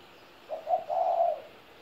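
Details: A 17-year-old spotted dove coos once in a low, smooth voice. The phrase has three parts: a short note, a slightly louder coo, and a long, steady croon ending softly.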